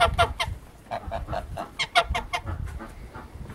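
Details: Wild goose giving scattered harsh, nasal honks in irregular clusters, with low rumbling noise underneath.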